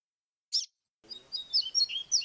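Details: Double-collared seedeater song in the grego flautado style, noise-reduced, meant as a model for training young birds. A lone sharp chirp comes first, then a pause, then a stream of high, clear whistled notes that alternate quickly in pitch.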